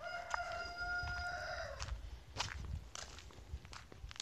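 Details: Farm rooster giving a strong crow lasting almost two seconds that ends in a falling tail, followed by footsteps and scuffing noises.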